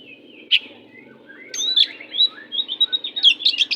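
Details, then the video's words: Oriental magpie-robin singing a fierce 'jahat' style song meant as a tutor recording for young magpie-robins that sing weakly: thin whistled notes, a sharp high note, then a run of rising, quickly repeated bright whistles and chirps. "Kacer pastol jahat lumayan but masteran burung Kacer kurang ngotot Lang sung ikut ngotot"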